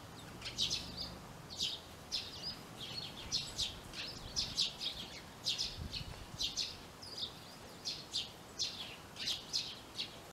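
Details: Sparrow inspecting new nest boxes built in a garage in a yard: a steady run of short, high chirps, repeated about twice per second, with faint background noise.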